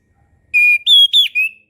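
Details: Orange-headed thrush song used as a tutor recording for young birds learning to sing: four clear, loud whistled notes, a long level one followed by three higher, slightly bending whistles, in a quiet background.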